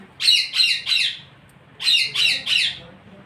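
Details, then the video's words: Parrot giving harsh, raspy squawks in two bursts of three, each note short and loud, the bursts about a second apart, with a quiet room background. "Parrot Chirping Sounds"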